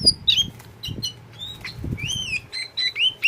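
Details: Oriental magpie-robin kept as a tame pet, kacer poci type, uttering short whistles, chips and a long rising-falling slur, mixed with soft wing-flutter or rustling thumps and a low hum.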